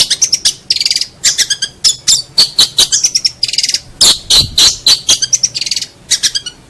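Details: Long-tailed shrike song used as master recording to tutor songbirds: fast varied chattering of scratchy, buzzy notes and sharp clicks, delivered in rapid irregular bursts.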